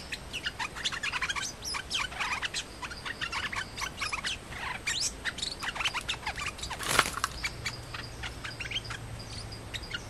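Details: Thai songbird known as nok dok taeng, a challenger male squaring off against the territory-holding resident male and only fighting. Dense bursts of rapid, sharp chirps and ticks with a brief loud rustle midway.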